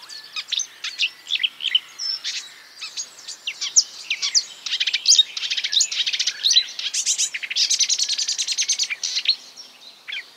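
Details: Marsh warbler in a long run of mimicry: fast, varied high twittering and chips, building into a dense rapid rattling sequence, then easing off with a few isolated notes.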